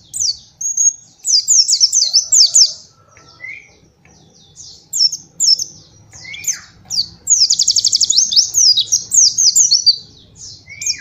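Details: White-eye song for training young birds, 'nembak' delivery: long stretches of shrill, rapid high chattering and trills, a few short whistles, with a quieter gap near the middle and a faint low hum behind.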